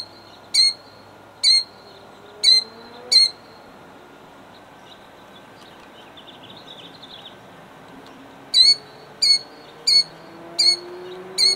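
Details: Killdeer, a female guarding her eggs, Jackson, New Jersey, 2008. Shrill piercing cries roughly every second, four in a run, a pause of about five seconds, then five more; faint low engine-like tones drift underneath.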